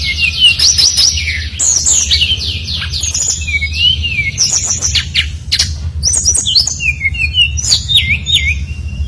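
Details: Lively brown-chested jungle flycatcher song played to provoke others into singing, made of varied high whistles, quick slurred trills and sharp ticks tumbling in continuous phrases with a low background drone.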